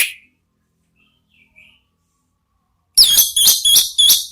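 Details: Orange-headed thrush giving ngeplong-style song as a lure sound: a sharp opening note, near silence with faint soft whistles, then four loud, shrill, evenly spaced buzzy high phrases.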